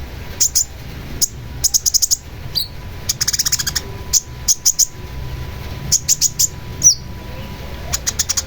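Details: Long-tailed shrike singing: bursts of rapid, sharp high chips in quick clusters, separated by short pauses, over a steady low hum.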